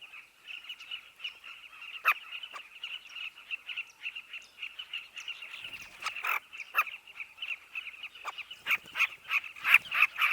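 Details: Southern carmine bee-eaters at a breeding colony of burrows in a dry riverbank. Many birds keep up a dense chatter of short, rolling, throaty calls, with louder sharp notes breaking through every second or so.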